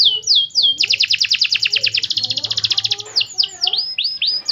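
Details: Canary singing as a lure to get other birds to answer: a few slurred whistles, then a long fast trill of high repeated chirps about two seconds long, ending in clear looping whistled notes; faint low hum underneath.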